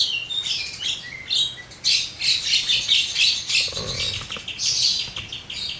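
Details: Javan myna, jalak kebo, singing continuously with harsh squawks, raspy chatter and short whistles in dense overlapping bursts, with a soft low thump midway.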